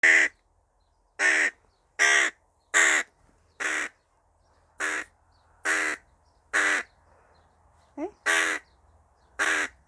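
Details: Tame hooded crow calling noisily while eating: loud, harsh caws, about ten in a row at roughly one per second, with a brief higher note between them.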